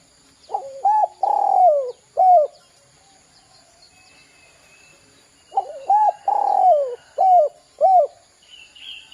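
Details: Spotted dove calls used as a lure to provoke other doves into calling: two bursts of low, rounded cooing, each a quick run of four or five hollow notes with a longer rolling coo in the middle, separated by a few quiet seconds.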